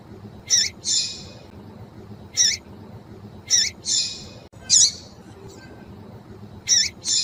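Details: Call of a female yellow-bellied seedeater, used to get males singing: short harsh double chirps, a sharp note followed by a rasping buzz, repeated every one to two seconds.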